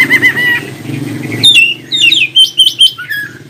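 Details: Oriental magpie-robin song used to prompt other magpie-robins to reply and sing: a sustained whistled note, then quick rising and falling whistles and short sweet chirps over a low rumbling background.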